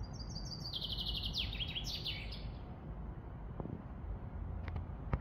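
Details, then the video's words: Common chaffinch singing: a high, rapid trill that steps downward and speeds up, ending in a brief flourish, lasting about two and a half seconds, over steady low rumbling background noise and a few faint clicks. "Як співає зяблик. Как поёт зяблик. how the finch sings"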